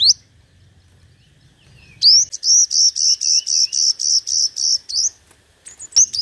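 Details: Five-colour sunbird singing competitively, used as a trapping lure. After a single rising whistle and low rumble, a rapid, even series of buzzy, high, flat notes runs for three seconds, followed by a few sharp clicks and whistles.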